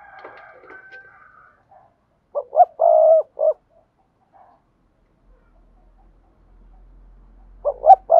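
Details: Spotted dove in thúc gù cooing, meant to train newly caught doves: faint scratchy noise at first, then a phrase of two short notes, a long rolling coo and a clipped final note, silence, and the phrase starting again at the end.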